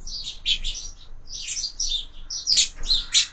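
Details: Several sparrows feeding at a window-mounted feeder at breakfast time, trading bright, clipped chirps in rapid clusters with brief pauses between them.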